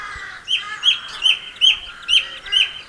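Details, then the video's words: Song thrush at Campbeltown in April 2012 repeating the same clear, slightly rising whistled phrase six times, roughly every third of a second, in a quiet setting. "Song Thrush Singing"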